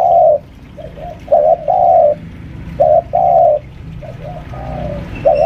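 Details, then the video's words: Home-kept senior spotted dove used as a lure, roughly five years old, pressing its opponent: low soft coos in paired short-then-long phrases, some loud, some quieter and trailing, with faint background hum. "suara pikat tekukur"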